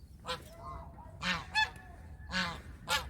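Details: Country goose calling in quick succession, four loud, brassy honks within three seconds, each a short rich burst with a softer tonal note between the first two.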